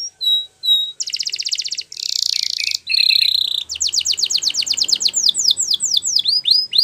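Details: Domestic canary singing a training song: two short clear whistles, then dense buzzy rolls at different pitches, followed by a long accelerating series of sharp descending sweeps, each note rapidly repeated.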